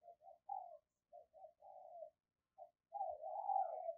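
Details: Decoy spotted dove calling wild birds in the morning: a run of soft low hoarse coos in short clusters, ending in a longer wavering coo.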